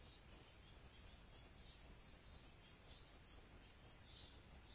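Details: Young great tits on an outing with their parents, still being fed, at a year-round feeding station during strong rain; high, thin chirps in quick bursts, several clustered together, over soft steady hiss.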